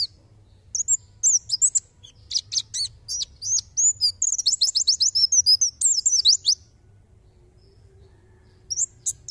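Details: White-eye song for tutoring songbirds: high clear notes and quick slurred chirps gather into a long rapid trill-like volley, followed by quiet and a short closing burst.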